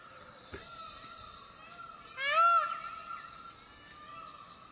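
A single loud, nasal peacock call, arching up and down for about half a second, over a steady high whine and faint background noise.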